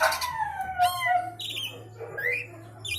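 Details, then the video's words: Javan pied starling (jalak suren jawa) singing with 'isian sekebon kacang' content: loud harmonic whistles sliding down, a buzzy squawk, then rising whistled notes and a high final trill, over a steady low hum. "jalak suren jawa / javan pied starling isian sekebon kacang"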